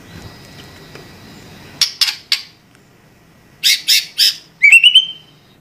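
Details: White-rumped shama singing, described as gacor (in full, energetic song): three short harsh broadband notes, a pause, three more harsh bursts, then a quick run of rising clear whistled notes.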